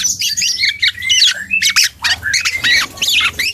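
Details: Young dark-throated oriole learning to sing: busy, harsh high-pitched chatter mixed with thin whistled notes in quick bursts, with a brief rustle midway.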